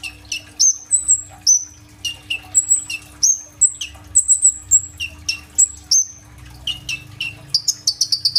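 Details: Lively kolibri ninja sunbird song packed with bursting fill phrases, captured on an Oppo A37f phone: piercing high whistles sweeping downward and flat shrill tones in rapid succession, ending in a fast trill of repeated sharp notes, with faint low background rumble.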